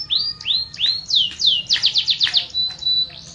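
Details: Canary singing. Slow rising whistles come first, then a quick burst of chattering sweeps, and the phrase closes on a thin, level whistle.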